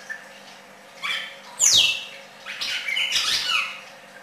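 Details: Red-crested cardinal singing: a few short squeaky notes, then a loud sharply falling whistled sweep, followed by a burst of harsh, buzzy chattering phrases, with quiet room background.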